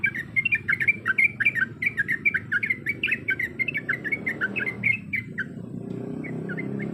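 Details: Breeding female Yellow-vented Bulbul calling her mate: a busy burst of quick chattering chirps for about five seconds, then a few scattered notes, over a rising low rumble of background noise.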